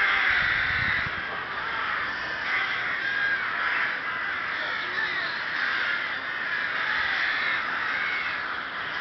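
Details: Rooks at the Ptačí ostrovy nature monument in Chrudim, Czech Republic, 30 May 2011: a dense, steady chorus of harsh, grating caws, many birds calling over one another without a break.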